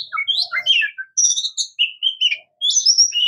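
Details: Oriental magpie-robin, known locally as murai kampung or kacer, singing a varied run of clear whistled phrases, some sliding down and others rising, with buzzy high notes mixed in and short pauses between bursts.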